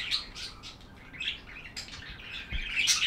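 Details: Steady budgie chatter, with dense high chirps and warbling notes running together with little pause and a louder squeaky burst near the end.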